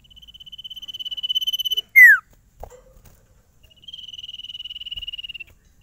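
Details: Sirtu songbird, shown off as unstressed and singing at once wherever it is carried, gives a long rapid trill of repeated high notes, a loud sharp downslurred whistle, then another steady trill.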